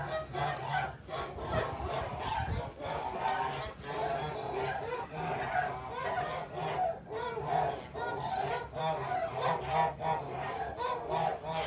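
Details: A flock of Kholmogory geese kept on a farm, late March 2021. A continuous chorus of loud, rasping honks rises and falls in waves, with a low rumble of background noise underneath.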